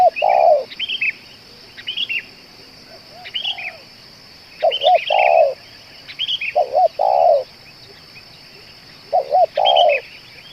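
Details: Spotted dove said to keep calling and cooing for two hours, suited as a lure bird: four cooing phrases, each two short rising notes then a long, burry held coo, with small birds chirping high and a steady high whine behind.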